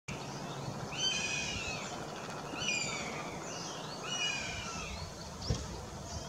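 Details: Juvenile northern goshawk excited as food arrives, recorded on 20 June 2016: three loud, harmonic, whining calls, each sliding down then up, about a second and a half apart, over a steady hiss of background noise.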